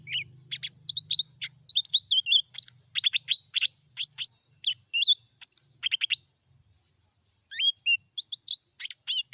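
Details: Lesser green leafbird singing in meratoh style: a rapid, varied run of sharp chips, short whistled slurs and rising and falling twitters, delivered in bursts with brief pauses, over a faint steady high whine.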